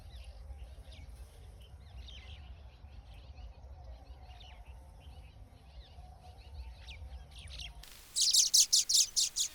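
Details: Baya weaver calls: a long stretch of faint, busy high chattering over low background rumble, ending in a loud run of short sharp chips repeated quickly.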